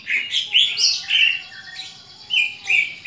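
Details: Aggressive fighting call of a greater green leafbird, meant to train other leafbirds' fighting spirit: loud, clear, separated whistled phrases stepping up and down, with a quieter stretch in the middle.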